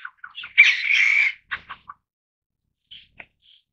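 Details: Taiwan bamboo partridges in a family group, Taiwan: a few quick rasping notes leading into a loud harsh squawking burst, followed by scattered short clicks and faint notes fading into quiet.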